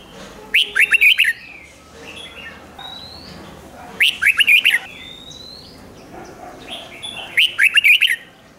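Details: Song of a caged Red-whiskered Bulbul, played to stir up other birds: clear, quick multi-note warbled phrases repeated three times, each under a second long, with faint thin whistles from other birds in the pauses.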